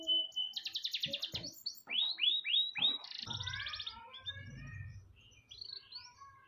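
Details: Canary singing a training song for tutoring other birds: quick pulsed trills, a run of loud downward-swept whistles, then softer warbled phrases fading out over a low background rumble.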